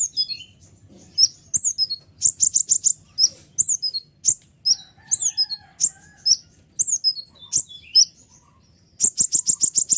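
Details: Loud kolibri ninja sunbird song intended to excite other birds into singing: rapid high rattling bursts alternate with sharp, falling whistles, ending in a fast run of clicky repeated notes.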